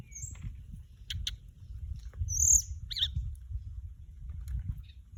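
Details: Orange-breasted, white-bellied flycatcher, a male and a female flying off: sparse high piercing whistles and ticking notes, one bright whistle mid-way, with steady low rumble underneath.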